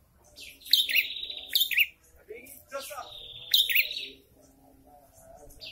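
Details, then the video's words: Prinia (prenjak kepala merah) in breeding condition, male singing back and forth with an approaching female: a few sharp high chirps, then a long buzzy trill and a final burst of chirps. "PRENJAK KEPALA MERAH SEDANG BIRAHI"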